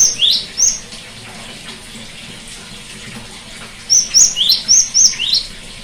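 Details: Cinereous tit song for therapy of a silent bird: a brief burst of high whistles and a lower rising note, a long hissy pause, then six rapid high and rising whistled notes.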